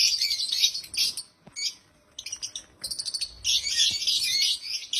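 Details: Happy African lovebirds giving loud, dense, shrill chirping in long bursts, broken by a short quieter pause of lighter, rapid twitters.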